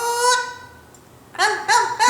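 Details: Pet Blue-fronted Amazon parrot saying "the boot" instead of "lover boy" while its owner objects. A long, nasal, honking tone fades out, then after a pause come three rough, voice-like syllables.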